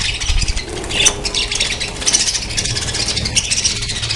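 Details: Colony of breeding budgerigars producing constant shrill chatter, rapid chirps and warbled squeaks layered from many birds, with a few clearer sharp notes and a light low background rumble.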